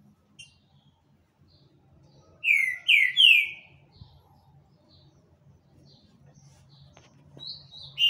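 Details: Green-winged saltator singing a lot: three loud, rich whistled notes in quick succession, each sliding downward, then quiet with faint high chips and a soft whistle at the end.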